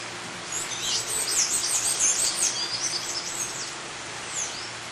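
A White-chested emerald gives a rapid stream of very high, thin chips and squeaky twitters, about two or three a second, over a soft background hiss.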